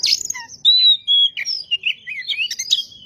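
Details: Oriental magpie-robin singing vigorously to stir up other magpie-robins: a harsh opening, two long level whistles, then fast twisting warbles and chips on a very clean, quiet background.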